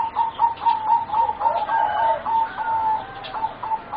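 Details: Young singing zebra doves, four birds about 3.5 to 4 months old, from a line bred for song competition: quick, soft rolling coos at a steady mid pitch, repeated in rapid bursts with short gaps, over a faint background hiss.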